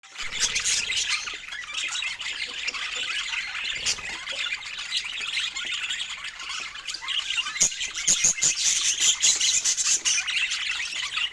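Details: Budgerigars chirping while eating fruit: dense, continuous high chatter of buzzy squawks and short chirps, with a few sharper clicks, sustained throughout.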